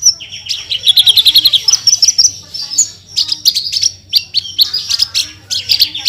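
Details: Horsfield's bush lark (branjangan) from a cage-bird tutor recording in 'gacor full tembakan' style: a fast buzzy trill of about ten notes, then loud bursts of high chirps and scratchy twitters.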